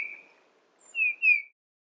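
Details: Eurasian bullfinch calling: a few pure, soft piping whistles, each gently falling in pitch, two of them close together, then silence.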